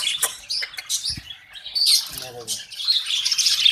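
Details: Budgerigars in breeding cages with eggs and chicks of the first clutch. Shrill chirps and chattering warble over a brief stretch of a man talking and a few knocks.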